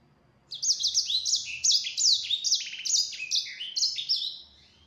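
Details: Yellow-fronted canary song used as a lure to provoke other birds into answering: a fast, continuous run of high whistled and slurred notes, descending sweeps and short trills, loud and sustained for about four seconds after a brief quiet start.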